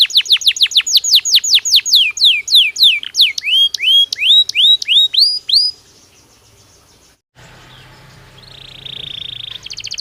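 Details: Singing Belgian canary: a long rapid series of descending whistled sweeps, then rising slurred notes, a pause, and a faint sustained tone with low hum near the end.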